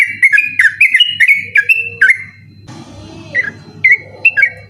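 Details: At night, a yellow-vented bulbul gives hurried ropel song for tutoring contest birds: quick whistled chirps in dense bursts, a brief rustling noise in the middle, then more sharp notes, with a low hum throughout.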